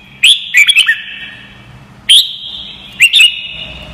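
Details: Red-whiskered bulbul song for training birds to learn: quick bubbly phrases of three or four slurred whistles, a single ringing note, then another short warbled burst, bright and clear with long fading echoes.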